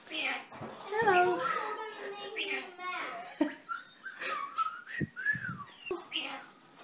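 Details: Captive common starling under a year old, learning to talk for only a few days, indoors: chattery, voice-like phrases the owner thinks are 'hello' or 'meow', mixed with clear rising and falling whistles and sharp clicks.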